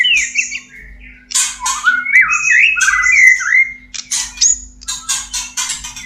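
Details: Breeding-stimulation song of a white-rumped shama, used as therapy for caged birds. Rich gliding whistles alternate with scratchy, rasping notes and high clicks in quick succession over a faint constant hum.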